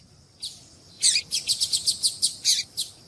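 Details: Female double-collared seedeater call meant to warm up a male: one chip, then a quick run of about ten bright high chirps in rapid rhythm over a faint constant high hiss.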